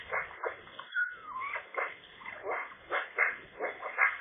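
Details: Eurasian magpie near its nest in late February, sitting under a roof and singing out to bad weather: a soft, continuous chattering warble of scratchy notes with a brief whistled glide, rising and falling without pause.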